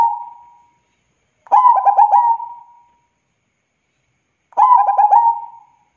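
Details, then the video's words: Zebra dove, a local bird in full song, gives clear cooing phrases. Each opens with a rapid stutter of short coos and trails into a sustained steady note. Two full phrases and the tail of a third sound over a quiet background. "Suara Burung PERKUTUT Gacor"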